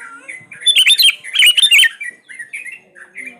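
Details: Kutilang, the sooty-headed bulbul, singing energetic lure song: two dense, loud clusters of rich whistled, slurred notes, followed by softer scattered chirps and short whistles.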